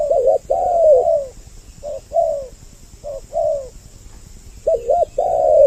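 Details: Lure sound of spotted doves, two voices, intended to bring males and females near. Low hooting coos arrive in small groups separated by quiet gaps, some notes doubled and wavering, others sliding down.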